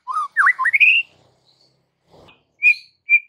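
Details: White-rumped shama song for training kept shamas: one quick phrase of dipping and rising whistles, then a pause and two short, clear high whistles.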